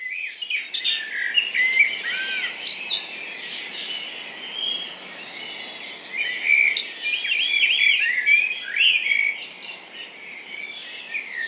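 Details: A blackbird leads a dawn chorus in a Hampshire, UK garden on 3 May with warbled, fluty phrases, over a dense weave of high chirps and trills from robin, dunnock and wren, with carrion crow and woodpigeon also heard.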